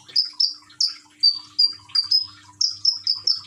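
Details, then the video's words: Caged common iora (konin) from Gresik, East Java, Indonesia, singing with trickling water therapy; crisp high whistled notes, some sliding downward, repeated in quick succession about three per second. "Burung konin rajin bunyi dengan terapi gemercik air"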